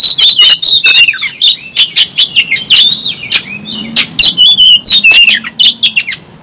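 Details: Oriental magpie-robin in an excited, combative state with its tail spread: rich varied song of high whistles and chattering notes delivered in short rhythmic bursts about twice a second.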